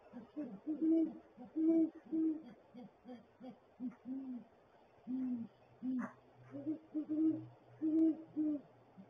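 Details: Great horned owl pair in a nest barrel on January 13, 2022 at 7:19 AM; the male hoots and makes gular-like sounds, and the female's hoot is less low. A dense run of deep, throbbing hoots with a steady low hum later.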